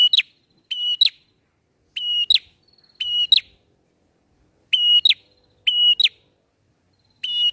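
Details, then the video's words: Bar-winged prinia song of the 'ngalun' style, kept as a lure for trapping birds: seven bright, piercing phrases, each a level tone then a quick rising snap, repeated rapidly over a silent background. "PRENJAK NGALUN"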